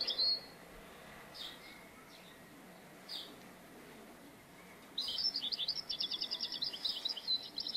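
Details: European goldfinch heard during trapping, first giving a few scattered high chirps, then breaking into a fast, tinkling, trilled twitter of repeated high notes that continues to the end, with faint background hiss.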